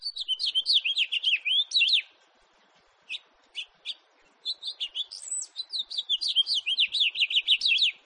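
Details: House finch song from 2018: a long run of rapid, slurred chirps, a gap broken by a few single notes, then another extended, lively warbling phrase of high zigzagging notes.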